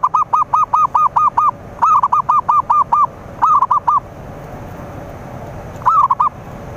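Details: Zebra dove lure song meant to attract rivals: a long run of six evenly spaced, arched coos, then two more bursts of five and four quick notes, a pause, and a final short phrase.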